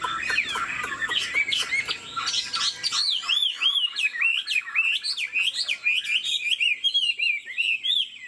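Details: Chinese Hwamei kept as a cage bird, about 90% pure-bred, nodding as it sings. Fluid whistles form looping, wavy phrases, and short clicks sound near the start.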